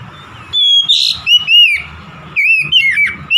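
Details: Oriental magpie-robin in energetic, chatty 'gacor' song: clear whistled phrases, slurred up and down, broken by short pauses, with a harsher burst early on and a rising whistle at the end, over a faint low rumble.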